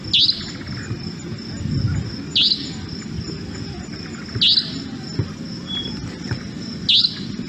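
Savanna Nightjar giving four sharp, high, buzzy 'tsweep' notes, one about every two seconds, over a low rumble and a faint steady high hiss.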